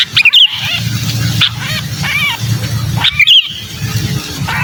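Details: Sooty-headed bulbul distress call, a trapped bird's cry used as a lure for wary bulbuls: two bursts of harsh, raspy harmonic screeches, each starting with a shrill whistled note, over a steady low hum.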